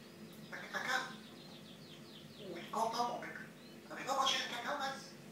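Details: A talkative pet Grey parrot, said to warn its owners when it poops, mimics speech indoors in three short, nasal, word-like bursts spaced a second or two apart.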